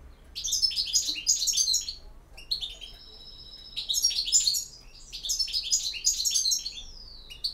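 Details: European goldfinch singing in the campero style: bright, fast tinkling twitters in dense bursts, with a thin steady buzzy note between phrases and a gliding trill near the end. Faint low hum underneath.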